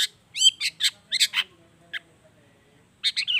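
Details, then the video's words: Long-tailed shrike song meant to lure shrikes into singing: short clusters of sharp, high chirping notes and slurred whistles, a brief pause, then another burst of rapid notes. "SUARA CENDET GACOR ISIAN ALAM || ANTI GAGAL efektif bikin cendet malaspun langsung ikutan bunyi"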